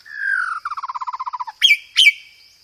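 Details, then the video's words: White-rumped shama, a loud lure song with 'roll tembak' rolls and 'gereja tarung' fill: a long level whistle, then a rapid rolling trill of about thirteen notes, closed by two harsh squawky notes. "PANCINGAN SUARA BURUNG MURAI BATU isian gereja tarung, full materi roll tembak"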